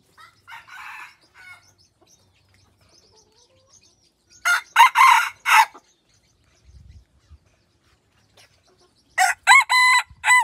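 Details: A pradu-coloured decoy rooster in Roi Et, Thailand, crows twice, each crow a run of bright harmonic pulses. Softer clucks and a low thud are heard between the crows.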